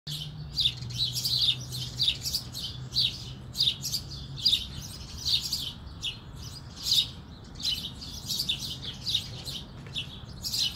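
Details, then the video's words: A sparrow perched on a fence, calling to other sparrows: dense, overlapping high chirps and tweets repeated throughout, several birds seemingly chattering at once, with a low steady hum beneath. "Sparrow communicating with other sparrows."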